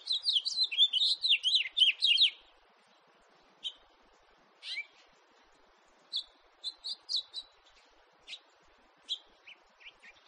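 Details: A House finch from 2018 opens with a two-second tumbling warble of high slurred notes, followed by sparse separate chirps and short bursts spaced through the rest of the recording.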